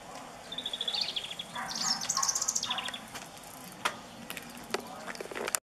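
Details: Nightingale pouring out its song: a sustained high whistle, then a fast run of sputtering notes and a lower rattling phrase, followed by a few isolated clicks before an abrupt stop.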